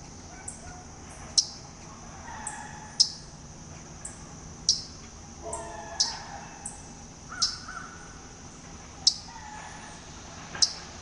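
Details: Waterthrush in a front yard at Talking Rock, Georgia, one of at least two birds creeping oddly across the lawn. Sharp, high, metallic chip notes repeat every one to two seconds over a quiet rural background.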